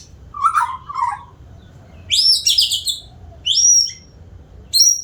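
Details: Varied song of a white-rumped shama: a lower warbled phrase, then very high buzzy trilled notes and a sweeping upward whistle, with short pauses between phrases.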